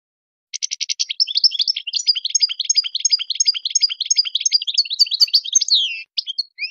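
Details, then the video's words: European goldfinch in Tadmait-style song for tutoring young birds: a brief pulsed rattle leads into a long, fast run of bright, repeated twittering notes and sliding whistles that ends with scattered chirps. "تغريد تادمايت شون هبال و قوة ما شاء الله لتحفيظ الصغار الغناء الخالي من الاخطاء"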